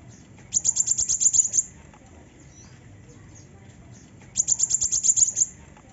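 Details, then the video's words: A female sunbird gives two quick bursts of about ten very high, sharp ticking notes, each burst lasting about a second and several seconds apart, over faint background hiss. "Suara besetan kowul betina"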